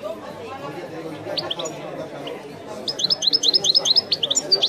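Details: European goldfinch in the Algerian 'wiidani' song style, a bird called Messi: after sparse quiet notes over a background murmur, a run of quick high chirps and twitters builds toward the end.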